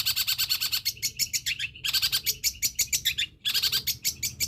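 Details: Long-tailed shrike song loaded with imitations of sparrow, petir, kunti and tengkek buto: bursts of fast, harsh, high chirps separated by short silent gaps, with a faint low hum behind.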